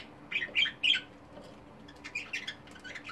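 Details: Multicoloured pet budgerigars give three loud harsh squawks in quick succession, then softer scattered chirps; low steady hum in the background.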